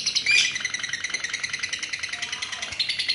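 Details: Female lovebird trilling rapidly with harsh, pulsed high notes, a few sharper squeaky accents at the start, continuing as a steady chatter.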